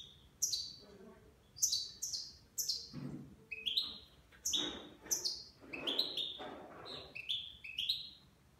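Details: Goldfinch, nine months old, singing Levantine (Shami) style: bright down-slurred chirps repeated about every half second in an irregular series, with faint low background noise.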